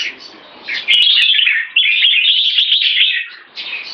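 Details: Kept red-whiskered bulbul in one stroke song leading to keke, opening quietly, then a loud sustained run of rich warbled notes for several seconds before fading to softer chatter.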